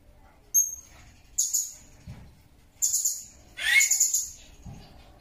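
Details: Blue-crowned hanging parrot heard in a natural recording used to tutor songbirds and prompt them to sing. Four very high, squeaky chirping bursts, the last a longer rapid series, with a faint low thump between them.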